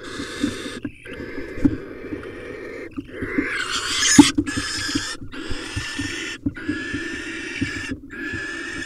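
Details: Barn owls at a nest camera in Israel as the male brings a vole and mates with the female: long harsh, hissing screeches in near-continuous bursts broken by short silences, with soft low scraping and knocking beneath.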